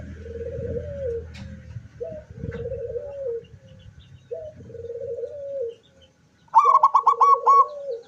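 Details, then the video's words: Zebra dove in full song, 24 September 2023, beak opened: three low, burry cooing phrases separated by pauses, a short silence, then a bright pulsed trill of about six beats over a softer coo. "suara perkutut sampai buka paruh"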